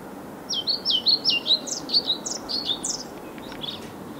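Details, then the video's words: A European pied flycatcher sings at Viertola, Vantaa, Finland, on 2012-05-06: a quick run of high, sweet, swooping notes, about a dozen in under four seconds, over a soft hiss. "Pied Flycatcher, Ficedula hypoleuca, Kirjosieppo"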